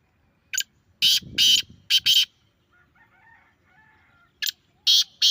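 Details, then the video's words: Grey francolin call used to make a kept francolin answer: loud shrill harsh bursts, a single note then a quick cluster of three, a quiet pause with soft low murmurs, then three more piercing bursts. "Best Teetar Calling Sound"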